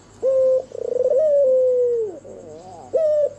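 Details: Night song of a red-eyed albino white turtle dove: a flat opening note, a fast quavering coo that becomes a smooth falling tone, soft rolling notes, then the next phrase begins.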